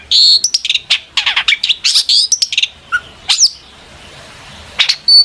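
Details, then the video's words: Long-tailed shrike singing in full, emotional voice, used as a lure to make other shrikes answer; rapid bursts of sharp, high chirps and rising whistled notes, densely packed, with a pause before a few final notes. "burung cendet gacor FULL EMOSI pancingan CENDET AGAR NYAUT"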